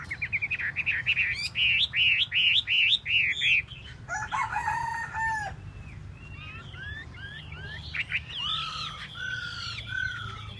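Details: Chinese hwamei, the tail-dancing bird, delivering a fast run of repeated bright chopped notes, then a harsh, buzzy burst and looser whistled slurs toward the end.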